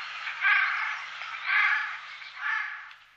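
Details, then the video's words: Eurasian jay during the day: a continuous hoarse, rasping screech that rises and falls in three loud swells about a second apart. "Eichelhäher am Tag"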